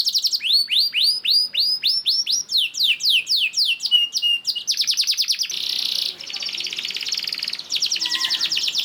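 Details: Vigorously singing canary, a long rolling song used as a lure to prompt other canaries to sing; rapid series of sharp downward-sweeping whistled notes, then fast rattling trills and a buzzy roll.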